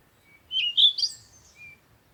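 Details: Bird chirping at morning sunrise: one short, bright, high twittered phrase of fast warbling notes, followed by a faint thin whistle, in a quiet setting.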